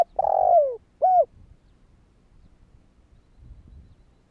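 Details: Single spotted dove phrase given to prompt other doves to call: a long sliding downward coo followed by one short rounded coo, then near quiet with faint low rumbling.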